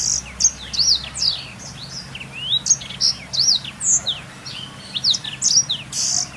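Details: Training song for canaries from a black-throated canary: an almost continuous stream of bright, very high chirps, upward and downward sweeps and short rattled trills, with soft low hum behind.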